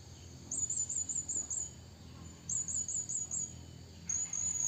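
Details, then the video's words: {'caption': 'Blue-crowned hanging parrot calling a rival: two bursts of about six thin, very high, wavering squeaky notes in quick succession, then a short steady high whistle, over a faint low background hum.'} "burung serindit bunyi memanggil lawan"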